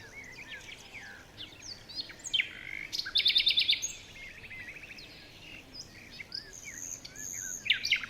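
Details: Several wild birds chirping in a forest in the morning: high twittering notes and scattered whistles overlap, with a fast, buzzy trill of rapid pulses near the middle and bright chirps returning at the end.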